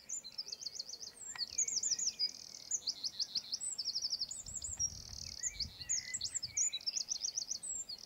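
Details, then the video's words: Eurasian wren pouring out a long, high, energetic song: rapid trills, buzzy rattles and quick sweeping whistles run together without pause, with faint low rumbling beneath. "EL CHOCHÍN. CANTO Y ALARMA."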